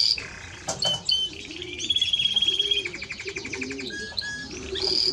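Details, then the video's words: Timbrado Español canary singing bursts of sharp notes, a high ringing whistle and stepped trills, while faint low cooing carries on in the background. "Timbrado Español Canario song"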